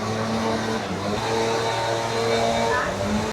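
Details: A steady engine hum from a passing car fills the recording, with faint voices underneath. No animal sound can be picked out.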